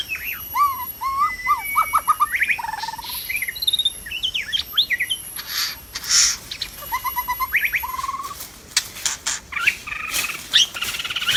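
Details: White-rumped shama in the wild, recorded while being trapped: loud, varied song of fluty whistles, rapid rising phrases and chattering notes in quick bursts, with sharp clicks and a faint insect hum.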